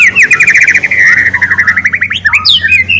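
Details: Murai batu, the white-rumped shama, in ngeriwik song meant to coax another bird into steady singing: a rapid, even trill of repeated mid-pitched notes lasting over two seconds, breaking into a few upswept chirps at the end.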